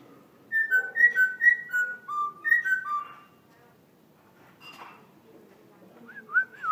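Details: Laughingthrush kept as a cage bird in Vietnam, singing in the forest-voice style: a run of clear whistled notes stepping down and repeating in quick pairs, a quiet gap with a soft rustle, then rising slurred whistles at the end.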